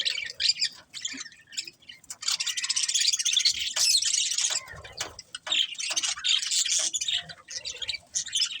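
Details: A group of budgies producing quick, irregular chirps that build into a long, loud run of scratchy warbling in the middle, then break into shorter bursts.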